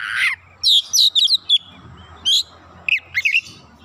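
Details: Oriental magpie-robin answering at once and persistently, pouring out its fill-in phrases: a harsh buzzy opening note, then a burst of short, high, slurred whistles and chirps with brief pauses, over a faint low hum.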